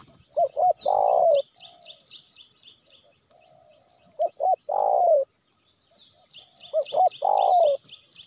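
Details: Spotted dove phrases used as a lure for wild birds. Two short bent coos lead into a long falling coo, repeated three times, while another bird adds rapid bursts of high chirps.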